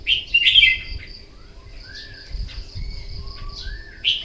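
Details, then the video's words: Red-whiskered bulbul singing competitively in the morning for voice training: an opening burst of rich, warbled notes, quiet falling whistles, then another loud phrase at the end. "Kích chào mào bổi hót đấu " luyện giọng chào mào hót buổi sáng kích chim hót đấu căng lửa"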